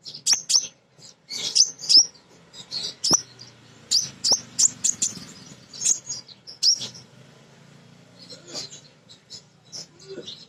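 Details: Female Crimson sunbird calling to males, recorded to lure other birds into song: sharp, very high chirps and short twittering bursts in quick clusters, with brief pauses, a thin faint hum below.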